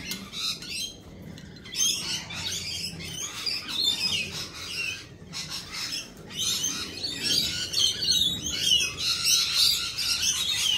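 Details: A crowd of lorikeets giving shrill, rasping squawks and chirps that overlap continuously, with a short drop in the noise before the chorus builds again; a faint low rumble sits underneath.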